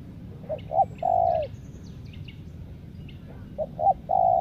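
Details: Spotted dove kept as a lure bird to draw wild doves: two short cooing notes followed by a longer, drawn-out falling coo, repeated twice with faint chirps of other birds in the background.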